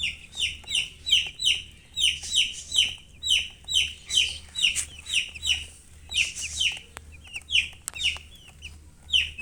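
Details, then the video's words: Baby chickens chirping: loud, clear high peeps dropping in pitch, repeated in a steady pulse of about two per second, then thinning into irregular calls with a few sharp clicks. "Baby "Chicks Chirping""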